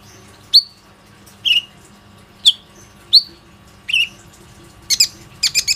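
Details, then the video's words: Plain-throated sunbird singing as a lure to encourage other sunbirds to call, recorded on an Oppo A37f phone. Thin, high downslurred chirps roughly once a second, ending in quick rattling double and triple notes. "PANCINGAN KONIN GACOR INI PANDAI MEMANCING KOLIBRI NINJA LAIN AGAR IKUT RAJIN BUNYI"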